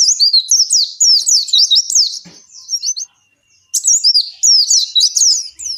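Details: Oriental white-eye singing a long, lively 'ngalas' song meant to spur captive birds into song: dense streams of shrill, rapidly warbled whistles, broken by a short silence around three seconds, then resuming just as fast.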